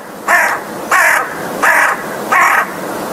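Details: Four loud, hoarse caws from an American crow, each about a third of a second long and spaced roughly every 0.6 seconds.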